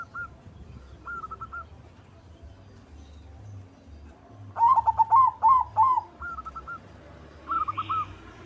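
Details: White zebra dove singing actively to stir other doves into song: soft, staccato cooing phrases around the same pitch, a quiet phrase early and a louder burst of rapid repeated coos midway, then further short phrases, with low background hum.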